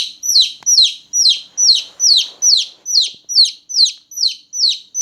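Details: Newborn chicken chicks chirping loudly at night: shrill, descending peeps repeated steadily about twice a second, each note sliding down from high to lower pitch, with no other notable sounds.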